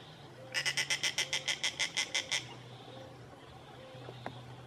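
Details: Young snail kite at Lagoa do Queimado, Pendências, Rio Grande do Norte, Brazil: a fast run of around fifteen harsh, cackling notes lasting nearly two seconds, then quiet background with a low hum and a faint click.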